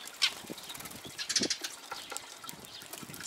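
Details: Eurasian tree sparrows at a bird feeder on Jeju Island give brief, high chirps scattered irregularly over a few seconds, with soft wing flutters and light clicking noises. Call.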